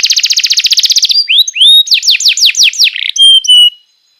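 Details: Young canaries' training song from a canary: a buzzing rapid roll, a few rising whistles, a run of sharp down-slurred notes and a short flat whistle before silence.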